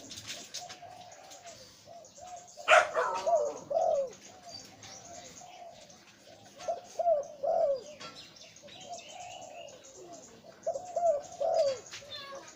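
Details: Zebra dove, a breeding male of the หลิ่วตัน type with a deep voice, repeats phrases of quick staccato coos followed by drawn, bending notes, phrase after phrase over twelve seconds; one loud click near the start.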